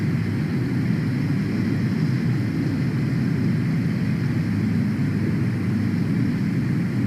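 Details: Steady roar of an aircraft engine throughout, with no animal voices.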